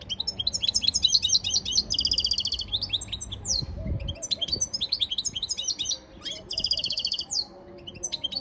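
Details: European goldfinch training song: rapid high twittering phrases of short rising and falling notes, with a buzzy, evenly harmonic passage near the two-second mark, in two main bursts separated by a brief pause.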